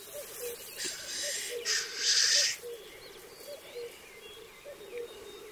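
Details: Black grouse gathered on their lek, where males fight and mate: low bubbling coos in short rolling bursts, broken by loud hissing sneeze-like calls.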